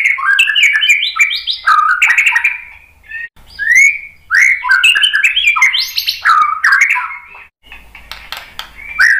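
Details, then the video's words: [5, 'Varied song of a white-rumped shama, played to provoke other birds to sing: rich, fast jumbles of whistled and chattering notes in bursts, separated by brief gaps.'] "KICAUAN MURAI BATU bikin EMOSI NYAUT BONGKAR MATERI ISIAN ¦ PANCINGAN MURAI ¦ SHAMA BIRD"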